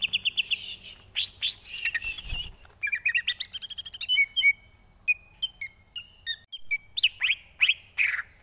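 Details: Greater green leafbird tutor song for training: fast varied phrases of buzzy trills, sharp chirps and rapid note series, some pure whistled notes held briefly, very rich and mimic-like.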